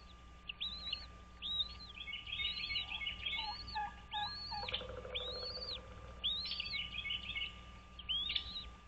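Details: At a bald eagle nest on Dale Hollow Lake, Kentucky-Tennessee state line, early on 06.03.2023: repeated high arched whistles roughly every second, with a chattering run and a few lower piping notes mixed in, over a constant hum.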